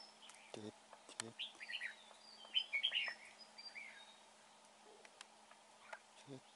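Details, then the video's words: A red-whiskered bulbul, recorded while being trapped, sings a short run of slurred, bubbling whistles across the middle seconds. Sharp clicks and low knocks come before and after it, over a constant hiss. "Bẫy chào mào bộ đẹp. giọng hay."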